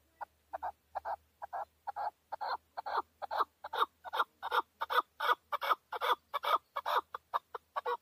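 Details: Male chukar partridge, locally called a hunting partridge, in Tajikistan in 2020: a long run of harsh, clucking chuk notes, about two to three per second, growing louder and quicker toward the end, with a low hum underneath.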